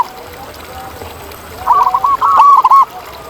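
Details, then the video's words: Wild local zebra dove delivering a quick run of clipped, bouncing coo notes that break into a brief rolling trill, after a stretch of faint background cooing. "Masteran Kutut di Alam"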